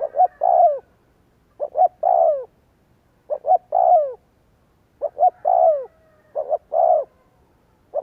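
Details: Spotted dove cooing, played as a lure to make other doves coo. Low mellow coos come in phrases of two short notes and one longer falling note, repeated about every one and a half seconds.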